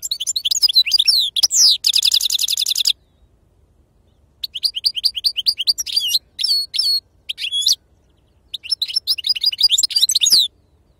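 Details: Goldfinch singing in the authentic wild 'khloui' style called Sarfati: energetic twittering phrases with buzzy trills, broken by brief silences, each burst made of quick high chirps and slurred notes.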